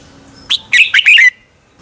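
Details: Red-whiskered bulbul singing a short morning dueling phrase for bird training: a sharp opening note, then three quick, rich, slurred chirps ending in a trailing whistle, under a second in all.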